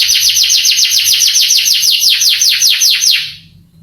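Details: Male canary song meant to stir up young canaries so they answer and sing: fast run of descending slurred notes, slowing slightly, then fading out near the end.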